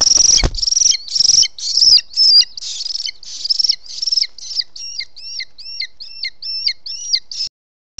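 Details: Booted eagle, the male delivering an unidentified bird as prey to the nest at dusk, 18 June 2017, Els Ports Natural Park: loud, harsh, rasping bursts give way to a fast series of thin, hooked whistles.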